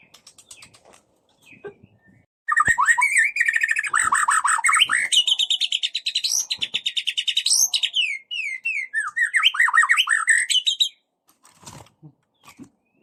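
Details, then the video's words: White-rumped shama singing the 'cess plengg' lure song that provokes other shamas: a few soft notes, then a sustained burst of rich whistles, rapid rattling trills and swooping slurred phrases, ending in scattered faint clicks. "PANCING MURAI BATU BUNYI CESS PLENGG!!!"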